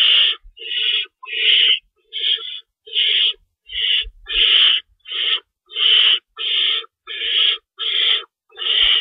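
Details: Night feeding at an owl nest, 3:53 AM on March 25, 2012, with an adult shredding stored rabbit; a steady run of thirteen hoarse, hissing screeches, each under half a second, with occasional soft thuds.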